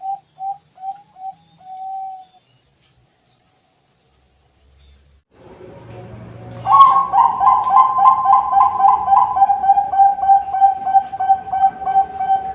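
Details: Zebra dove, local or Bangkok type, singing vigorously as a lure song: a few soft spaced coos, a quiet gap with low rumble, then loud rapid stuttering cooing notes repeated in a steady pulsing run.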